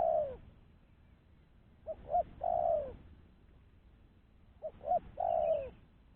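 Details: Spotted dove calling, its voice used to lure other doves for trapping: phrases of two short soft notes followed by a longer, falling, throaty coo, repeated about every three seconds over faint background hiss.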